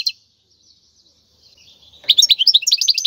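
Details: Wild European goldfinch singing, used to train young goldfinches: after a soft thin note and a quiet stretch, a sudden burst of quick, high, jingling twitters fills the last second.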